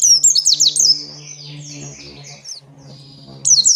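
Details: Oriental white-eye giving a 'ngalas panjang' song used to get captive white-eyes singing; thin high twittering phrases open and close the passage, with softer warbling in between over a steady low electrical hum.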